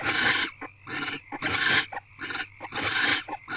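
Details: Wild barn owl at a nest box just after midnight, 12:33 am on 3 February 2024, the day after the first egg hatched: harsh, broadband hissing screeches about half a second long, repeated in quick succession with short silent gaps.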